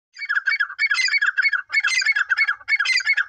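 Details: Female Dakhni grey francolin calling: harsh, squawky notes repeated quickly in dense, unbroken runs with only brief pauses.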